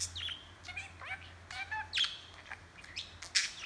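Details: Pet budgerigar talking and chattering, filmed handheld; a busy run of warbled chirps, short rising and falling notes and clicks, with a faint low hum underneath.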